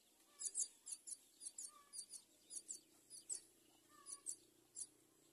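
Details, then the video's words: Myna nestlings being brought food at their nest: short, sharp, high chirps in quick pairs and triplets, repeated steadily about every half second over quiet background noise. "Birds bring food to feed babies at myna nest"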